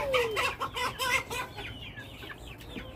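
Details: Sounds of a chicken flock: a falling note opens a run of loud, harsh clucks and squawks in the first second and a half, fading into softer scattered chirps over low background rumble.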